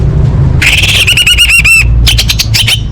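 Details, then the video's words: Orange-headed thrush contest master song with full fill-in phrases: a harsh burst followed by a fast series of repeated ringing notes, then a few chirps, over a steady low hum. "Masteran Anis Merah Full Isian untuk Lomba Besar & Latber Elite"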